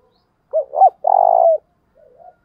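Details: Thúc bổi lure call of a caged decoy spotted dove meant to pull in wild birds: two quick looping hoots, then one sustained vibrating coo about half a second long, followed by a faint low murmur.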